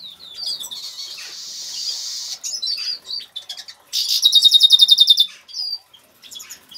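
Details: Caged Major goldfinch of agate colour singing in an aviary: a run of thin, high twittering and buzzy notes, then a fast, bright trill of about a dozen even notes, followed by a few scattered chirps and soft wing flutters.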